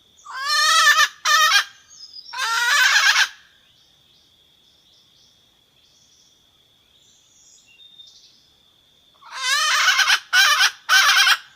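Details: Red junglefowl hen calling the rooster, with loud grating, rasping call bursts at the start and again near the end, separated by a long quiet stretch that holds a continuous high insect whine and soft distant chirps.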